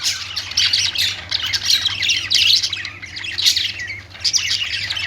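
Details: Budgerigars, described as Australian parrots singing, give dense overlapping chirps, squawks and warbled twitters in continuous bursts that swell and fade every second or so, with a faint low steady hum underneath.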